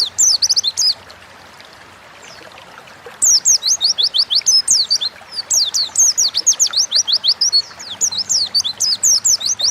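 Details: Lively 'gacor ngalas' wild-style song of an Oriental white-eye, meant to coax kept birds into singing: a short opening burst, a long gap, then a sustained rapid stream of high, thin, downslurred notes with varied twittering.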